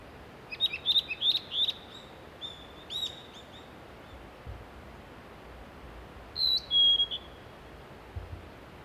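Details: Nestling Japanese pygmy woodpeckers begging while being fed in a mountain nest hole in Shimokitayama village, Nara, Japan, from mid-May; sharp high chirps repeated rapidly in bursts, a pause, then a final pair of shrill notes.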